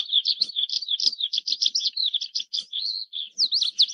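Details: Oriental skylark song from Taiwan: a continuous high, rapid warble of varied chirps, trills and short whistles, with brief slurred notes and no other sounds.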